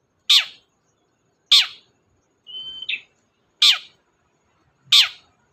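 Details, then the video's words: Long-tailed shrike (cendet) in chatty gacor form, used as a lure to get a silent shrike singing: loud, rasping, down-slurred notes repeated about every second, broken once by a thin, level whistle. "BURUNG CENDET GACOR DOR, pancingan ampuh cendet gak mau bunyi"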